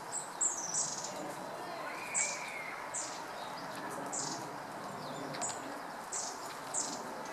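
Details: Red-billed leiothrix in a park, recorded in the afternoon on 25 November 2012 with a camera: sharp, very high-pitched short notes repeat at irregular gaps of about a second, over a quiet wash of background noise.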